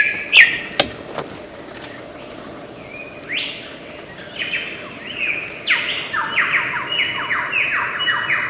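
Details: Lyrebird, a bird of Australian forests known as a great mimic, starting with a few scattered sharp notes, then a run of loud descending whistled sweeps repeated about twice a second.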